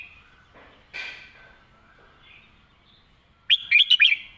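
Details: Red-whiskered bulbul singing a 'master song' phrase: faint, scattered soft sounds, then a loud closing burst of five quick, bright, bubbling whistled notes.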